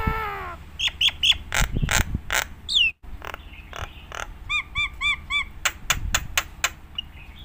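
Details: Nias hill myna used as a training song for other mynas: a harsh nasal note, sharp clicks, a falling whistle, then a quick run of short bell-like notes and more clicks.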